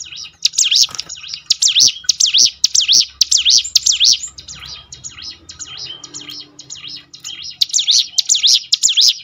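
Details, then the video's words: Hill prinia song to prompt birds to sing more often: long runs of fast, high, wavy whistled notes, a quieter interlude of softer chirps, then another loud repeated burst. "ciblek gunung mana yang gak tergoda ikut berbunyi"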